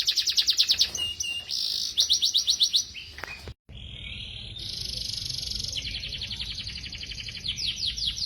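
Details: Young canaries singing: fast buzzy trills and rapid repeated chirps at high pitch, a brief break, then long rolling trills, with steady background hiss.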